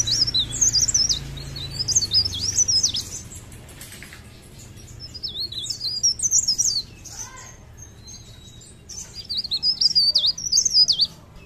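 Mountain leaf warbler singing three bursts of high, rapid, twittering phrases that swoop up and down, each lasting two to three seconds, over a faint low hum.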